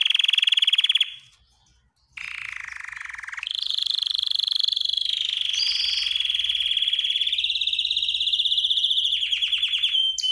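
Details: Trained canary singing to rouse females for mating: a long, even, rattling roll broken by a short pause, then resuming lower before climbing to a higher steady trill that continues to the end.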